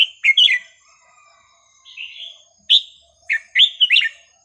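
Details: Red-whiskered bulbul singing varied, non-repeating phrases for teaching young birds: several short bursts of bright, bubbling whistled notes separated by brief pauses, including a softer slurred note in the middle.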